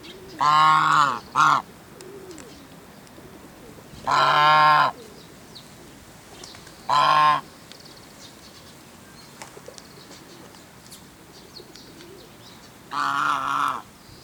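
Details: Single Chinese goose at Shinbashira Park gives loud, harsh, nasal honks, a double call, then single honks spaced several seconds apart over fourteen seconds, with faint small-bird chirps in the quiet gaps.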